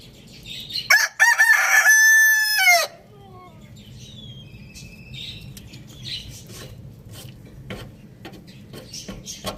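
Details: A rooster crows loudly in the morning: one harsh crow rich in overtones, lasting about two seconds, held fairly steady before breaking off with a sharp drop. Faint chirps of small birds continue in the background afterward.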